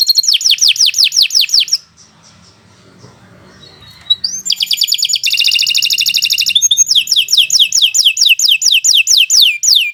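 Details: Canary song offered as a long training song for other birds: rapid trills of repeated notes and a run of downward-sweeping whistles, broken by a short quiet gap.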